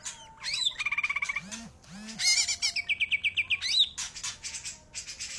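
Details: Greater green leafbird song: a varied medley of high chattering trills, rapid pulsed notes and sharp slurred whistles, with brief harsh scratchy bursts in between.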